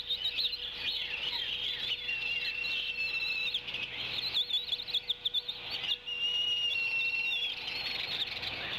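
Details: Bald eagle at the Decorah nest cam: the mother eagle gives her whistling tea-kettle sound in the late afternoon sunshine as the male brings a fish. Rapid high chirps and piping notes run throughout, with two drawn-out whistled tones.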